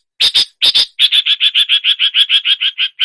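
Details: Long-tailed shrike imitating other songbirds: two harsh broadband bursts, then a fast run of about fifteen buzzy, even notes repeated roughly five times a second, all bright and high-pitched.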